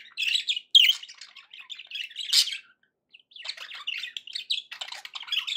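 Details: Happy budgie sounds from pet birds indoors: busy high-pitched warbling and chirping chatter, a brief pause midway, then the scratchy twittering resumes.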